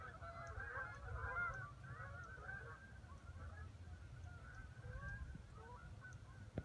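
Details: A flock of geese heard more distantly, overlapping honks strongest in the first half and thinning later, beneath a heavy low rumble like wind or traffic, ending with a sharp knock.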